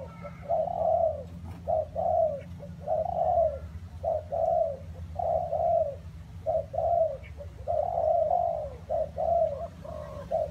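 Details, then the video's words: Spotted dove cooing through rainy, windy weather, a steady series of low, husky two- and three-part coos repeated about every second, with constant low rumble underneath. "nghe cu gáy gù cả ngày"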